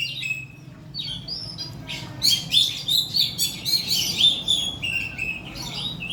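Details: Oriental magpie-robin singing, played as a lure to prompt birds to sing: quiet opening notes build into a loud, fast string of bright whistles and chattering trills repeated several times a second, with a steady low hum underneath.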